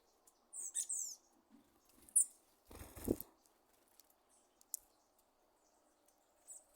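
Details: Thrush (sabiá) giving popcorn-like popping sounds: a few short high chips early on, then a dense burst of crackling pops around the third second, with silence between.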